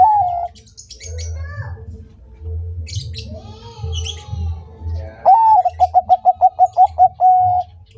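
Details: Bangkok zebra dove in full song. A held note fades at the start, then scattered chirps from other birds follow. A loud phrase comes next: a rising note, about ten rapid staccato coos and a long even final note, over a low hum.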